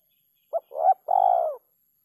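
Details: Single kuk 3 phrase from a spotted dove: a short soft note, a swelling mid coo, then a long level hollow coo that fades downward.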